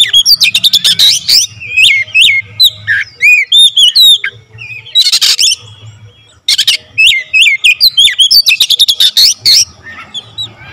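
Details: Oriental magpie-robin delivering a dense, full-variation song: fast clicking trills, swooping whistled slurs and buzzy chatter pour out almost nonstop, broken by one brief pause midway; low hum in the background.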